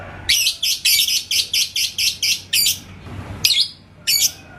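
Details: Yellow lovebird in Indonesia responding to a rival's song; a burst of about nine harsh, buzzy high chirps in a row, then a few separated squawky notes.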